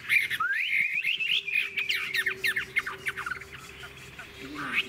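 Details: Chinese hwamei, an older wild-caught bird, singing: a sweeping warbled whistle followed by a rapid chatter of sharp notes, then quieter phrases, over a steady low hum and faint voices.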